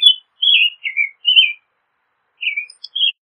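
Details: American robin singing a run of clear, slightly slurred whistled phrases, four close together, a pause, then two more with a faint high note between; no other sounds.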